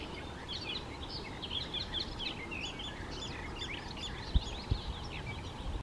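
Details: Male icterine warbler delivering a varied, hurried stream of whistles, twangy notes and harsh chatter, with a few brief low knocks near the end and a steady rumble underneath.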